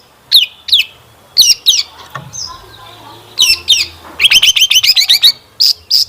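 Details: Long-tailed shrike in rich fill-in song, played as a lure to get kept birds singing; spaced downward-slurred squeaky notes, a soft whistle, then a fast string of repeated bright chirps and two high whistles.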